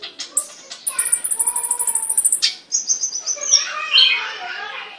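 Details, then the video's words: Caged songbird singing: a rapid trill of high notes repeated around twice a second, then varied whistled and chattering phrases sliding downward, with faint lower harmonics. "Burung Kicau The voice of a bird, (Suara burung), Burung kicau, Burung Sangkar"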